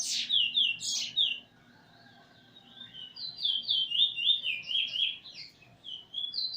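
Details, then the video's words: Eurasian bullfinch singing together with its tutor bird while learning a song, 13 August 2020: a run of clear whistled, slurred notes falling and rising, a pause, then a longer string of wavering fluted whistles. "Spot bird singing together with the teacher almost finished making"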